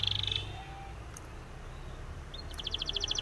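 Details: Spanish timbrado canary training song for canaries: a brief high rattling trill at the start, a quiet pause, then a fresh fast trill rising in volume at the end.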